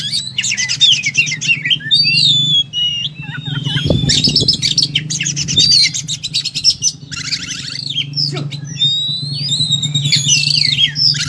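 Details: Oriental magpie-robin in fighting mode, packing its song with material: rasping trills, long thin whistles and rapid chirps in quick succession, with a low steady hum and a thump near the middle.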